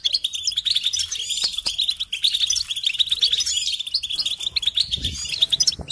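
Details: European goldfinch song used to stimulate songbirds: a steady stream of fast chirping and tinkling trills with higher rolling notes overhead, ending with a soft low rumble.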